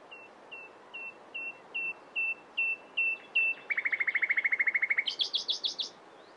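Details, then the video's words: Nightingale repeating a soft piping note about eight times in a slow crescendo, then breaking into a rapid, even trill that ends in a higher chattering run. "It turned out to be a nightingale | Real sound"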